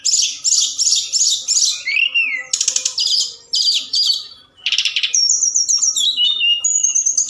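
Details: A forktail calls at night as a lure to excite other birds into singing. Bursts of buzzy rattling notes alternate with a low slurred whistle, a brief quiet gap, then clear high whistled phrases.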